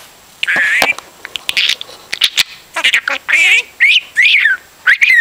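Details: Pet budgerigar indoors, chattering like a broken record or radio: a run of warbled, whistled notes that rise and fall, with bursts repeated in quick succession and scratchy clicks between them.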